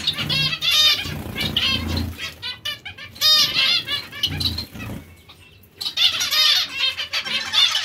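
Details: Several zebra finches produce bursts of nasal, trumpet-like beeps and chattering notes, with a brief lull midway before the chorus resumes, plus fluttering wingbeats.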